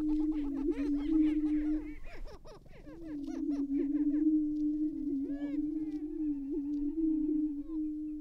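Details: Greater prairie-chickens displaying at a lek in Tympanuchus Wildlife Management Area, northwest Minnesota, April, around dawn, males fighting and facing off: steady low hooting moans overlain by rapid cackling, whooping and squeaky calls from several birds.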